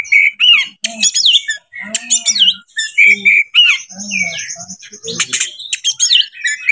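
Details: Oriental magpie-robin in breeding condition, singing to stir up other birds: a rich, jumbled song of whistles sweeping up and down, harsh buzzy bursts and low throaty notes, with one long sustained high tone midway.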